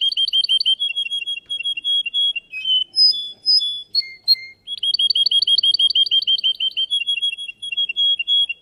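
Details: Russian canary competing in a singing contest: crisp, rapid trills of high doubled notes, then a pause of separate whistles and falling chips before another long, fast rolling trill.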